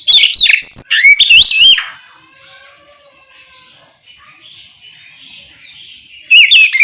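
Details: Oriental magpie-robin singing loud ngeplong song intended to make other magpie-robins respond: nearly two seconds of fast, looping, sweet whistles, a lull with soft distant chirps, then the song resumes.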